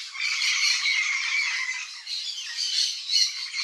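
Yellow-faced Parrot giving harsh, raspy squawks in a near-continuous chatter, loudest at the start and again near the end.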